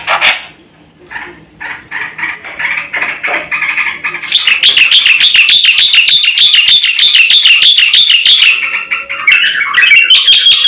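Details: Black-winged myna in full song, used as a lure and master recording for training birds; softer harsh notes lead into a long, rapid, rhythmic run of loud wavering whistles, ending with a downslurred phrase.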